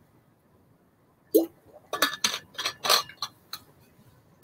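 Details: A brief run of sharp, irregular clinks and clatters, like glass or dishes knocking together indoors, with no animal voice.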